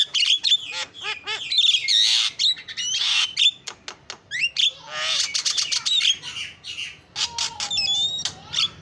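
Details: Champion-style starling song used as a lure to make birds sing: a fast jumble of sharp clicks, harsh buzzy rasps, squeaky rising whistles and clear drawn-out notes, delivered almost without a break.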